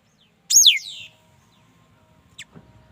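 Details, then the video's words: A single loud, ringing whistle from a mi dat bird, plunging sharply in pitch with a drawn-out trailing tail, then a brief high chip. A faint low rumble lies underneath. "Tiếng chim mi đất hót chuẩn"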